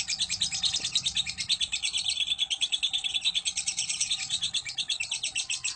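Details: Lovebird of fighter type in a long ngekek chattering song, used as a lure to provoke courtship and singing in other lovebirds; a dense, rapid, high buzzy trill of about three notes per second runs throughout without a break.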